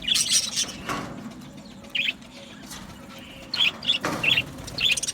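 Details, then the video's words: Budgerigars in an aviary colony giving short bright chirps in scattered bursts, with soft rustling and background hum between calls. "Beautiful Budgie singing and chirping sounds | Budgie parakeets sounds"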